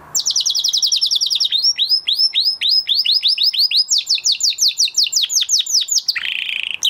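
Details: Canary song after the moulting period, made of rapid rolling trills of repeated downslurred high notes that change pace and pitch several times, ending in a harsher buzzy phrase.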